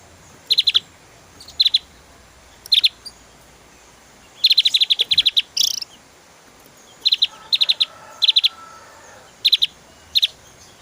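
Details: Javan white-eye song of quick doubled and tripled high clicking notes repeated about every second, with one longer rattling burst midway and a faint lower whistle later.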